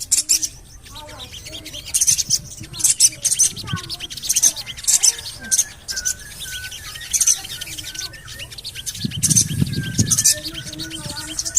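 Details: Lure call of a Javan cochoa, meant to prompt birds to sing. High, shrill chirping comes in quick clusters with softer twittering between them, and there is a brief low rumble near the end.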